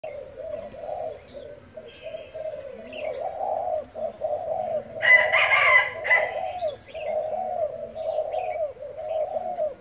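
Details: Spotted dove giving fast repeated cooing in the thúc style, low hollow coos run in a steady stream, with a rooster crowing loudly partway through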